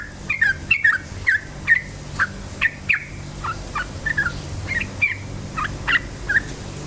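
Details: Yellow-vented bulbul in rapid 'cukcuk ropel' song used to provoke other bulbuls. Quick chattering, slightly warbled notes tumble in an uneven stream, fading somewhat toward the end, over a low hum.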